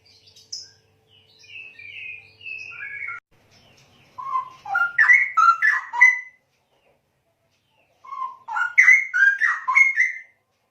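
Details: Straw-headed bulbul song: loud, rich bubbling phrases of warbled notes sweeping between low and high pitch, delivered in two bursts of about two seconds each, after softer introductory whistles; quiet background otherwise.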